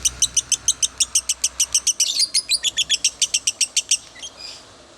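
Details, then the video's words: Lovebird chattering: clipped high chirps in quick succession, a burst of denser twittering in the middle, fading out with a soft squeak at the end. "Love bird VIRAL" Masteran Love bird konslet""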